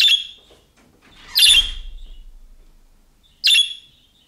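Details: Budgerigar making the calling-type calls of young birds, which draw replies from other budgerigars. Three harsh, scratchy chirps, widely spaced, with a low thump and rumble under the middle call.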